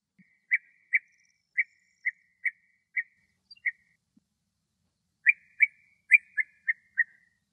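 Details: A male European bee-eater sings in Greek nature, giving liquid, rolling 'prruip' notes repeated in loose bursts.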